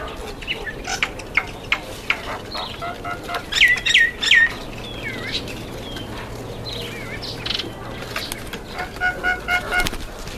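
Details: Indian myna at a feeding table, giving a run of sharp, hooked, chirping notes that cluster loudest around the middle, mixed with wing flaps and scattered softer chirps from nearby birds.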